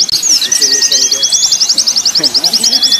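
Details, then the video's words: White-eyes singing on a training mix made for song contests: a long, fast, high trill of uniform repeated notes, with a thin steady whistle and soft lower chatter beneath. "Terapi pleci + simulasi lomba burung pleci untuk melatih mental pleci"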